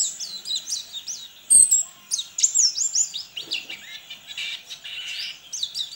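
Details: Caged white-eye singing for an online contest in West Kalimantan: tumbling, very high warbled twitters with a few loud sharp notes and a brief clatter near the start.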